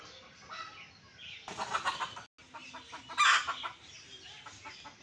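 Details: Red junglefowl (Gallus gallus) give clucking, chicken-like calls, with a louder burst at the middle and another near the end, over a soft wild background.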